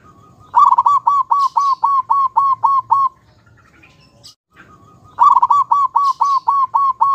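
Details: Local zebra doves, a male and a female, used as tutor birds for training, sing their perched song: a fast run of about nine clipped, even notes, a short pause, then the same rapid stuttering run starting again.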